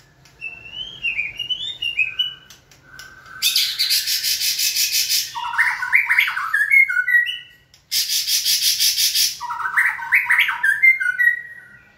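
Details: White-rumped shama conditioned to sing when signalled: sweet whistled phrases broken by two long harsh, noisy rasping bursts, each followed by rising and falling clear notes.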